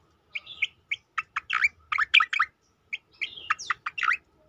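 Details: Striated grassbird song used as training material for other cage birds: a fast jumble of short buzzy chirps and rising whistles in two bursts, split by a brief pause, on a quiet background.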